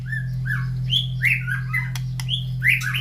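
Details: White-rumped shama in captivity, fed in the morning and set beside other birds' breeding cages, which all call back. A dense run of varied, rising and falling clear whistles rides over a constant low electrical hum.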